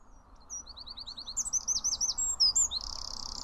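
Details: A Eurasian wren (Troglodytes troglodytes) pours out a loud, very high song of fast, sharp notes and warbling trills, ending in its typical dry, buzzing rattle; faint low hum behind.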